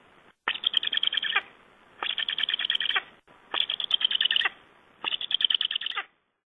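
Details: Black Stork during feeding, Estonia, 24 August 2011, in the breeding season: four rapid rattling, pulsed bursts, each lasting about a second and repeated about every one and a half seconds, with quiet gaps between them.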